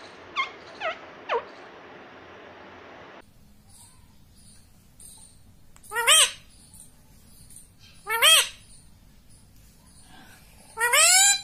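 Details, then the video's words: Talking rose-ringed parakeet, a pet that says 'mummy' and 'papa': three quick descending squeaks, a quiet stretch with faint high ticks, then three loud, richly harmonic arched syllables spaced about two seconds apart. "मम्मी मम्मी बोलता तोता - पापा बोलने वाला तोता"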